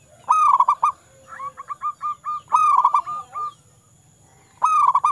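A zebra dove sings bursts of quick, stuttering cooing notes, with fainter clipped coos between phrases, while a thin high whine runs underneath.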